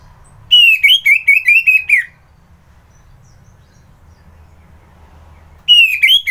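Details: Orange-headed thrush, locally anis merah, in morning song at Kubutambahan, Singaraja, Bali; a fast stuttering phrase of bright whistled notes lasting about one and a half seconds, a long quiet gap, then another phrase begins.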